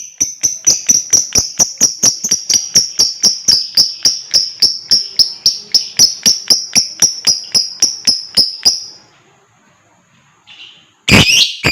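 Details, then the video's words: Lovebird in ngekek style, used to prompt other birds into singing: a fast, steady rattle of sharp high chips, about four per second, for nine seconds, then quiet and a harsh burst at the end. "TERAPI JITU BUAT LOVEBIRD,Ngekek dan Gacor Lanjut burung lain dengar ikut gacor dan ngekek"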